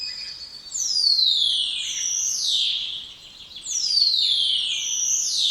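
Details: Spotless starling giving loud, downslurred wolf-whistle-like notes, two long sweeping descents with faint harmonic echoes, repeated about every three seconds.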